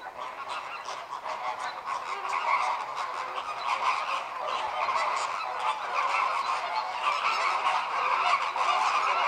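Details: A flock of American (Cuban) flamingos honks in a dense, continuous goose-like chorus during group courtship display, with synchronized head-turning and wing-opening to synchronize breeding; too few adults yet join for a procession.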